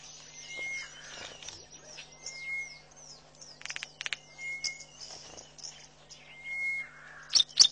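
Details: Close southern masked weavers busy building and lining a nest at Pete's Pond, Mashatu Game Reserve, Botswana, February 12, 2012. Chattering song of thin, sustained whistled notes mixed with buzzy rattling bursts and quick high sweeps. Faint hum underneath.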